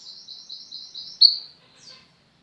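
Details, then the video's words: Female mountain mantenan white-eye in steady song, a tutor for pet white-eyes: a soft run of high, evenly spaced twittering notes ending in one louder accent, then a faint closing chirp. "mantenan gunung betina gacor, cocok untuk masteran burung pleci anda."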